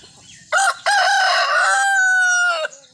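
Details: Desi rooster crowing: a short harsh opening note, then a long loud harmonic crow held level for nearly two seconds and ending with a brief downward drop.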